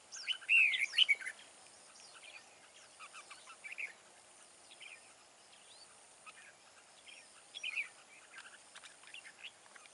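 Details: Red-whiskered bulbul, wild-caught, with a forest voice, kept for fight trapping. It opens with a loud, liquid whistled phrase, followed by quieter scattered chirps and a short whistled note later on.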